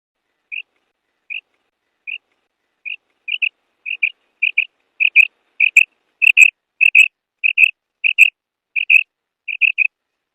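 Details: Female quail giving short, clear whistled notes, single at first and then in quick pairs, repeated about every half second and growing louder, with no other sounds.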